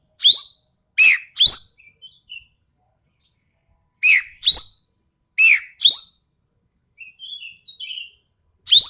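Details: Sumatran ekek keling, sharp and harsh in tone, delivers bursts of two or three loud grating notes, then softer chattering, warbling notes near the end, in an otherwise silent setting.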